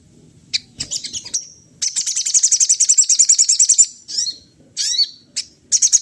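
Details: Sunda laughingthrush imitating other birds: after a few scattered high chirps, a fast, even series of sharp, high repeated notes runs for about two seconds, followed by short squeaky phrases and further bursts of rapid twittering.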